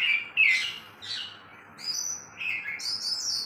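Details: Two oriental magpie-robins sing against each other: a clear short whistle, then harsh buzzy notes and a high squeaky trill, with gaps between bursts and a soft background hum.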